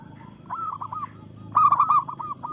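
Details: Challenge song of a local zebra dove in breeding mood. A soft run of cooing notes builds into a louder, rolling stuttered coo phrase that trails off in repeated notes.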